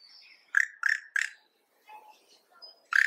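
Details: Yellow-rumped cacique (Cacicus cela) song, a harsh, bizarre "kshara-chee" said to sound like its name: a thin whistle, three loud burry notes, softer fluty and clicking sounds, then a final harsh note.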